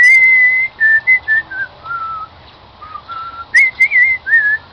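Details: Pet cockatiel, a new member of a live band, whistles the melody "Song of the Garden" indoors: a string of pure whistled notes stepping down in pitch, a short lull, then higher, bouncing whistled phrases.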